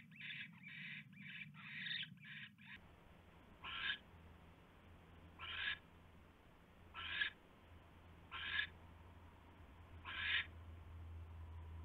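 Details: Owl at its nest just after midnight, 27 January 2016, during delivery of a huge rat; rapid harsh hissing screeches at first, then slower, single rasping bursts every second or so over a low hum.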